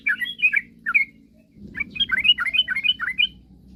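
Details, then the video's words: Sooty-headed bulbul in lively song, played to provoke rivals into singing: a few rolling notes, a short pause, then a rapid warbling burst of liquid slurred phrases over soft rumbling background. "suara kicauan trucukan gacor..paling jago memancing lawan agar cepat bunyi"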